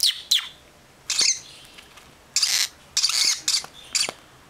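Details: Baby pet lovebirds from a second brood uttering sharp scratchy bursts, first two quick ones, then longer hissing rasps spaced roughly half a second to a second apart.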